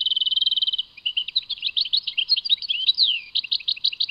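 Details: Song of a European goldfinch at Tadmait. A fast, evenly pulsed trill leads into varied liquid twitters, with a long downward-slurred note near the end and then clipped chirps.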